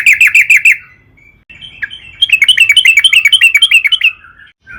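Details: Yellow-vented bulbul giving a long, lively song used to lure other trucukan into singing; a short run of bubbly chirps, a soft pause, then a longer rolling series of about fifteen quick notes.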